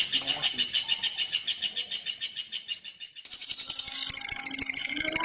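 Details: Central Javanese competition lovebird, renowned at local and national events, pouring out a quick high trill of repeated chirps for three seconds before a sharper, more scattered burst of shrill notes.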